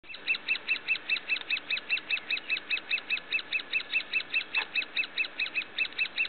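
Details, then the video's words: Great spotted woodpecker (Dendrocopos major) nestlings in the nest at Finnemarka, Buskerud, Norway, on 21 June 2009 give a steady, harsh, high chattering, about two to three calls a second, with a faint background hiss. "Sound of Great spotted Woodpecker (Dendrocopos major) young bird in nest"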